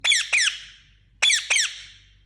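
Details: Talking Indian ringneck parakeet giving two pairs of harsh, high, screechy squawks, each quick double note falling slightly, about a second apart; otherwise quiet.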